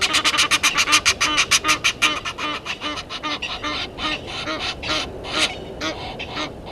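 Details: Egyptian geese at Gowrie dam waterhole, Djuma Game Reserve, Sabi Sand, South Africa, disputing with intruder geese; rapid harsh honks repeated about three per second, loud at first then thinning into looser, slightly quieter calls.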